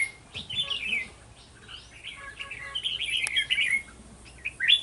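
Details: Trapping with a decoy red-whiskered bulbul, 11 November 2018: quick, jumbled whistled and chirping phrases, over a faint repeated lower tone, with a sharp click midway.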